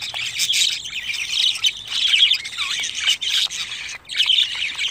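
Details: Budgerigar chicks, 25 days old, raised as pet birds: dense, raspy chattering with scratchy squawks from several young birds at once. The calls overlap almost continuously, with a short lull near the end.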